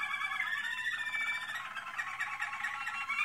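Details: American Singer canary in training, singing softly indoors: a continuous warble of rolling, trilled notes with a few brighter whistled phrases woven through, steady in texture, no other sounds.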